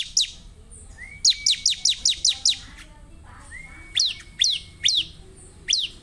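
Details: A prolifically singing ciblek, or Bar-winged prinia, gives a quick run of six steep falling chirps, then a long thin whistle and slower spaced chirps. The background is otherwise quiet.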